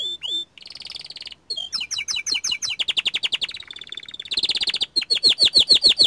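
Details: Young canary of the small standard type singing energetically, with a swooping whistle, a buzzy roll, and series of rapid, evenly repeated chips that speed into rolling trills.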